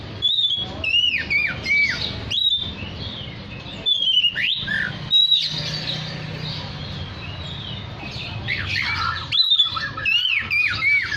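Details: Oriental magpie-robin singing energetically (gacor), its song meant to call other magpie-robins: loud clear whistled phrases sliding down from high to mid pitch, repeated in bursts with short pauses, over a faint low hum.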